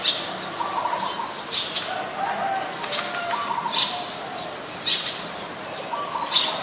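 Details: Eurasian tree sparrow in Ubon Ratchathani, Thailand, 10 May 2020: sharp, high chirps come in short bursts about every second, with soft lower twittering and a busy bird chorus behind.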